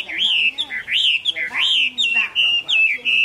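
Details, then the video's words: Chinese hwamei singing happily in late afternoon on 15 April 2024, a loud run of clear rising-and-falling whistled phrases, each slurred note swooping up then down, repeated in quick succession with short gaps. "Họa mi mơ hót vui chiều muộn"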